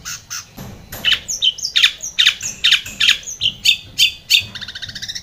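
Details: Long-tailed shrike in energetic lure song meant to make a stalled shrike sing: rapid harsh chattering notes mixed with higher squeaky twitters, almost three per second.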